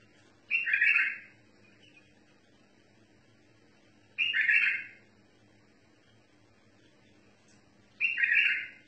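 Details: A bulbul performing song in the tawr mutawa'i style repeats a short, bright warbling phrase three times, roughly every three and a half to four seconds, over a faint steady hum.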